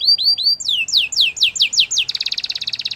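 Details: Belgian singing canary courting with song: three quick upswept notes, a row of long downward sweeping whistles, then a rapid, even pulsed trill to finish.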